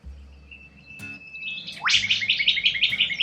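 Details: Wild corella cockatoo in Australia giving a sharp rising screech that breaks into a quick series of rasping, repeated high notes, after a thin whistled tone.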